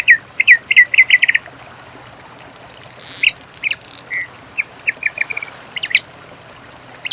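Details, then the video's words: Singing in nature, a many-colored rush tyrant opens with a quick run of about eight clipped notes, then falls to scattered single ticks and short chirps over soft background noise. "AVE PAPA PIRI CANTANDO NA NATUREZA"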